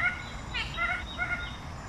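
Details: Red bird-of-paradise uttering a few nasal, slightly buzzy notes close together, with a brief rougher sound in the middle, against low background noise.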